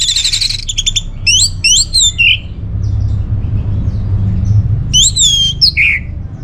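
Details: Orange-headed thrush song used as a lure for caged birds: a buzzy trill, then rising slurred whistles in a series, a drop to lower notes, and another bright rising phrase after a pause.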